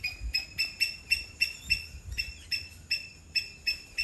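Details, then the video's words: Two myna birds in a backyard in Sri Lanka; a myna gives short, bright chirping notes with a ringing overtone, about three a second at an uneven pace, over a faint low rumble. "Myna Birds"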